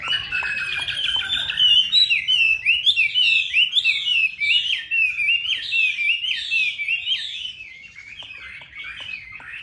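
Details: Chinese hwamei singing a loud, varied song of rich slurred whistles rising and falling in quick succession, steady and continuous, softening toward the end, over faint background noise.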